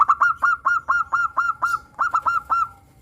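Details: Local zebra dove kept in captivity, a bold singer with a crystal-clear voice, used to coax other doves into song: a rapid run of about thirteen short, bright, ringing coos in three seconds.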